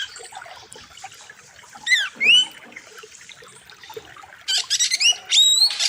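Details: Oriental magpie-robin song with a wild river setting, meant as a master recording for training birds. Soft background hiss gives way to a few clear rising whistles, then a dense burst of high trills and upslurred notes near the end.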